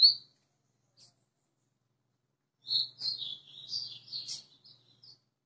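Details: White-throated seedeater, a caged bird that arrived the day before: after two brief isolated chirps comes a short burst of sweet whistled twittering notes that ends in a few scattered peeps.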